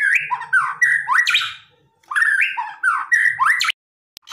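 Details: White-rumped shama giving an aggressive song to provoke a response: repeated downslurred, slightly hoarse whistled phrases with harsh squawk-like edges, in two bouts separated by a short pause.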